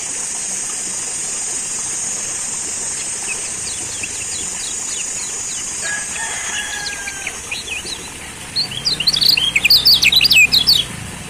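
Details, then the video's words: Lemon-bellied white-eye (Lombok kecial kuning) used as a lure to make other kecial sing: faint high chirps, then a fast, bright twittering burst of thin, rising notes near the end, over a steady high hiss. "Pancingan Kecial Kuning"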